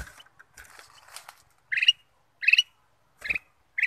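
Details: Ruby-throated bulbul lure song: after faint scratchy sounds, four loud short chattering phrases spaced under a second apart.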